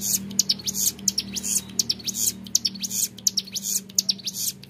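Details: Young Hill Prinia in ngebren song: rapid high buzzy bursts with quick rising strokes, repeating steadily, over a constant low electrical-sounding hum.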